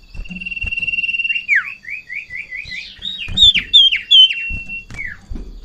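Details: A Sirtu in breeding condition, excited by a rival or female, opens with a rapid buzzy trill on one pitch. Repeated short slurred notes follow, then bright high whistles and a falling end note, with faint knocking below.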